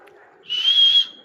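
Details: A single parrot whistle, clear, high and steady, lasts about half a second and rises slightly before cutting off, against near silence.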